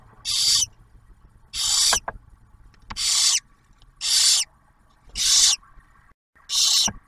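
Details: Inside a barn owl nest box in Ottawa National Wildlife Refuge, Ohio, the male arrives with food for the female and first owlet. Six rhythmic, noisy hisses, about one per second, over a faint low hum.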